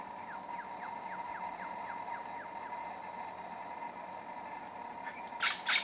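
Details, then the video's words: A Superb Lyrebird hidden in scrub a few metres away at Bungonia State Conservation Area sings, imitating other forest birds: a quick run of short downslurred whistles, about four a second, ending in loud, harsh bursts over a steady droning hum. "Superb Lyrebird song"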